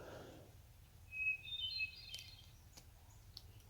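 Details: A brown thrasher singing outdoors close by, unseen, gives a quick run of high, clear whistled notes that shift in pitch, over a steady low outdoor rumble.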